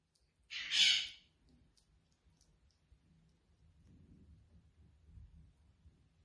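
An African grey parrot gives a single harsh, raspy squawk lasting about half a second, followed by near silence with faint low background rumble.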